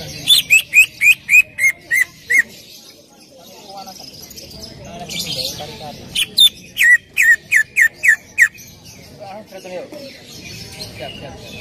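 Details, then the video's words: Greater green leafbird song played to coax another leafbird into singing. Two bouts of evenly repeated, short, downslurred whistled notes, about nine per bout, separated by a quieter pause. "PANCINGAN CUCAK IJO AGAR BUNYI"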